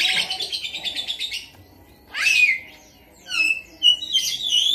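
A Javan myna mimics a lovebird: a fast, high, rattling chatter for over a second, then rising squeaky sweeps and short bright whistles.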